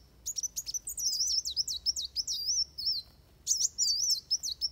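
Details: Van Hasselt's sunbird fighting song for training birds: fast bursts of high piercing chirps and warbling whistles, a short lull near three seconds, then rapid notes again.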